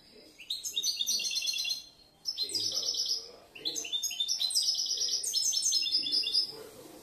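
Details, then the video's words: European goldfinch, a young male from last year kept as a song bird, known for changing, mixing and composing phrases: fast twittering song of high, bright rattling notes and trills in two long bursts separated by a short pause. "Un poquito del jilguero el enfadao"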